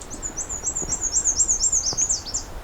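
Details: Black-and-white warbler (Mniotilta varia) on a June afternoon in 2022, on a riverside trail among many American redstarts, sings loudly, a very high series of squeaky two-part notes at about five per second, less thin than usual, nearing redstart tonality.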